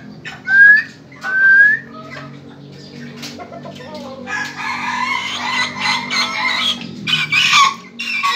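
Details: Ayam Ketawa chick calling vigorously: two clear, loud, upward-sliding whistled notes open, followed by a wash of rustling and clattering noise with faint chirps.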